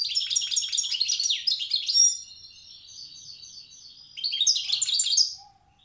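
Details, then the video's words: Tiaret goldfinch, a wild bird, giving the old song style: a rapid run of tinkling twitters slows into a soft buzzy trill, then a second bright burst of chatter follows. "تغريد حسون تيارت( أداء الحسون البري اللغة القديمة)"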